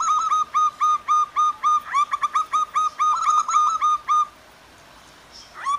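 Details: In the wild on a morning beside clear water, male and female zebra doves call to each other: a long, fast series of some twenty-five bright cooing notes over four seconds, partly overlapping, then only the soft hiss of water.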